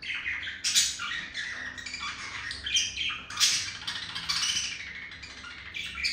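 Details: Male budgerigar courting a female, chirping and beak tapping. Lively stream of squawky chirps and scratchy warbled notes, with louder bursts near one and three and a half seconds.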